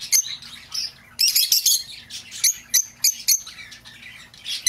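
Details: Lovebird, sounds for luring a lost bird back: loud, shrill chirps in quick clusters, a dense run early, then spaced single squeaks about every half second.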